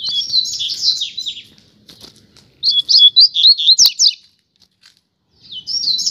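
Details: High, fast seedeater song from a pair outdoors on a street: bursts of twisting, slurred whistles and chips in quick succession, broken by a short pause before the phrase starts again.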